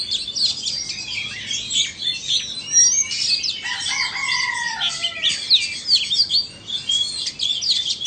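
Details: Two Oriental magpie-robins, one from Vietnam and one from Indonesia, compete in song: busy high warbling throughout, plus a long, smoothly descending whistle midway and scattered sharp squeaks.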